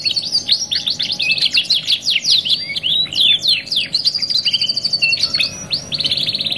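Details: Canary training song ('2 in 1' masteran): a lively sequence of rapid down-slurred chirps and warbles, ending in a sustained high, slightly buzzy trill. A quiet hum lies underneath.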